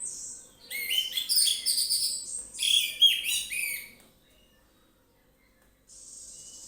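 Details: Orange-headed thrush in 'ngeplong' song: a long, dense outpouring of quick warbled whistles and chattering notes in two bursts, then quiet, with a faint hiss returning.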